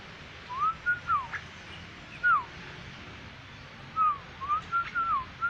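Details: Energetic black-winged myna with a yellow crest: scattered pure whistles that climb, level off and fall away, delivered in loose groups separated by gaps of a second or more, against low steady noise.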